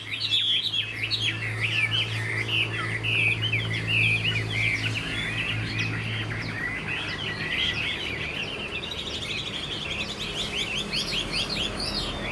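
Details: Young caged Chinese hwamei singing clear looping whistles early on, then a long busy stretch of rapid warbled notes, with a low hum in the background.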